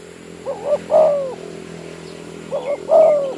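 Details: Village spotted dove used as a decoy in an oil-palm plantation: two coo phrases, each a pair of brief soft notes leading into a drawn-out, falling rolled coo, over a constant low hum.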